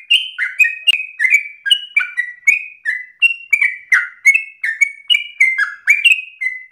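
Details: Energetic ropel song of a sooty-headed bulbul for master training: a continuous string of falling, slightly burry whistles with varied pitch, some notes rising sharply before dropping, barely any gaps.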